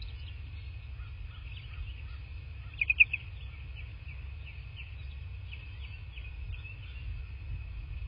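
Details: Bald eagle at its nest in southwest Florida, captured by a nest camera on 25 February 2024 in the afternoon: a thin run of repeated high, down-slurred chirping notes with a louder burst partway through, over low steady rumble.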